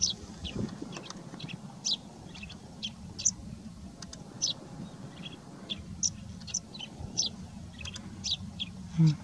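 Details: Male yellow-throated sparrow, a bush dweller, calling during courtship at Jorbeer Conservation Reserve, Bikaner, Rajasthan, India, on 23 February 2022; short, high, sharp chirps repeated irregularly every half second or so over a steady low hum.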